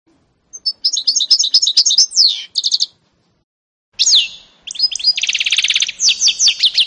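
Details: A canary-goldfinch mule, recorded 2018, gives twittering high phrases, stops for about a second, then returns with a swooping whistle and a buzzy rattling trill.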